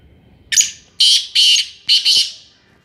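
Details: Black francolin of the Sindhi type calling: a harsh, scratchy phrase of one short note, then two longer rasping notes, then a quick rasping pair, loud and close against near silence.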